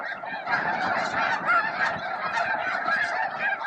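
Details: Around noon at Bosque del Apache, thousands of snow geese, with a few Ross's geese, feed, groom and face off. Many nasal, yelping honks overlap constantly into a continuous, clamoring din with no pauses.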